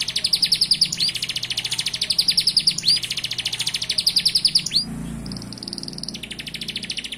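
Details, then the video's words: Loud canary song full of machine-gun trills: long runs of rapid, evenly pulsed high chirps broken by quick downward whistled sweeps, then a buzzy high rattle over a rushing background. "Kenari gacor full isian tembakan"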